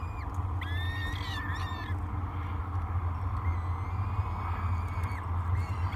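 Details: Three hungry peregrine falcon chicks at a breakfast feeding, filmed by a nest camera at Great Spirit Bluff on 24 May 2022; thin drawn-out wailing calls come in two bouts over a steady low rumble.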